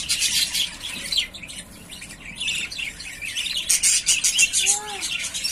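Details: Chattering yellowface spangle budgies from three pairs ready to breed: rapid, high chirps and raspy warbles in bursts, with a brief, lower clear whistle near the end.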